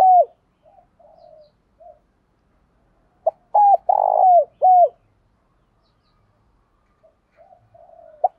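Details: Spotted dove used as a decoy, calling to stir up rival males: one full phrase of three deep coos, the central one harsh and prolonged, framed by faint soft coo fragments before and after.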